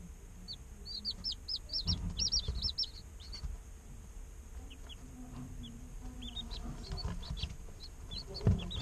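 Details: Day-old chicks chirp in a quick cluster of bright, high peeps early on. Later come sparse, fainter cheeps over low rumbling background noise.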